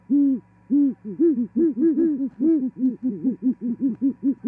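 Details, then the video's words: Pair of great horned owls duetting at an osprey nest in Charlo, Montana, 18 January 2021, female newly arrived, mating. Nearly continuous hooting, about a hundred hoots a minute, two voices interleaving, one deeper, over a low hum. "Arrival Great Horned Owl Female-Singing & Mating"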